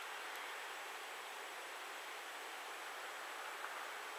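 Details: Steady broadband rushing like flowing water or wind fills the recording, with no animal calls heard.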